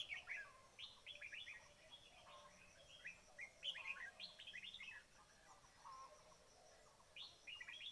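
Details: Red-whiskered bulbul calls used as a trapping lure: bursts of bright chirping, rising and falling whistled notes in quick clusters, pausing briefly, then resuming near the end.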